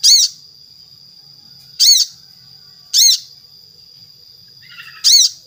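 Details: Spiderhunter lure call meant to set other spiderhunters singing: four piercing chips about a second apart over a steady high-pitched tone, a short soft chatter before the last.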